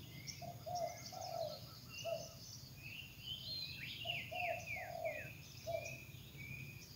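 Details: Wild spotted dove singing actively in nature: low, soft cooing phrases of two to three notes that end in a longer rolled coo, repeated about every one to two seconds, with other small birds chirping and whistling higher above.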